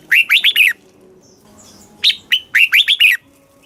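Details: Red-whiskered bulbul song in the southern master style for stimulating caged birds and teaching young; two rapid phrases of loud, down-slurred whistles, four to six notes each, with a brief lull between.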